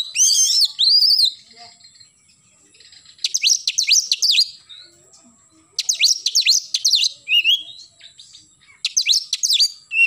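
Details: Morning song of an oriental magpie-robin in the 'gacor nembak' style. Dense bursts of rapid, high sweeping notes, each about a second long, return roughly every three seconds, with short quiet pauses between them.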